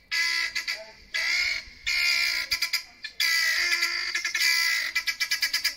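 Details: Frenzied calling from two guineafowl on a neighbour's deck during a five-minute outburst. Loud, raspy screeching blasts alternate almost without pause with fast, jerky rattling bursts of clipped notes.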